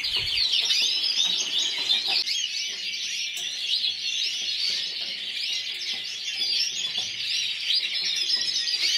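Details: Yellow frosted lipochrome canary from the Burgos 2014 competition, individual runner-up, singing a long continuous high song of rapid rolling trills and chirped phrases, about two to three notes each second.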